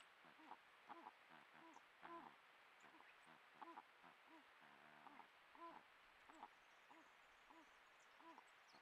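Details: Exchange of vocalisations between a malleefowl pair at the nest as the season's first egg appears, 7 September 2024; a steady series of soft, low, rounded hoots comes roughly twice a second, with faint high chirps from other birds.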